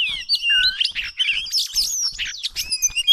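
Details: Wild Oriental magpie-robin, filmed while being trapped with small ropes, delivers a loud, rich warble of looping whistles, twisting slurs and sharp chips packed together without pause.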